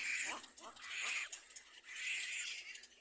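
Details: Feeding-time crying from a little black cormorant chick with its mother, three loud, raspy squeals in quick succession, each harsh and wheezing.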